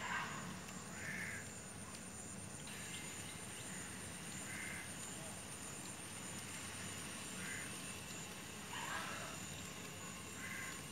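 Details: Little egrets chasing each other, possibly not wanting to share food, give harsh, rasping croaks, short and scattered every few seconds, over a steady background rumble and a thin high hiss.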